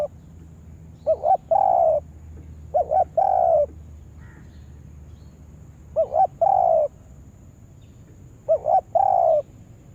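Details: Spotted dove kept as a trapping lure bird coos in four spaced phrases: a clipped two-note stutter leading into a longer, even, purring coo, separated by gaps of a second or more.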